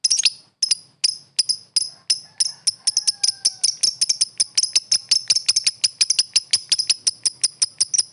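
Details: Lovebird calling to a rival with crisp, very high clicky chirps, spaced at first and then tightening into a fast, even chatter.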